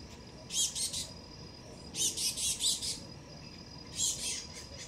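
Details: Young male black-goggled tanager on a first visit to a garden fruit plate, watched by two dusky-legged guans. Three bursts of quick, high, stuttering chip notes about every one and a half seconds.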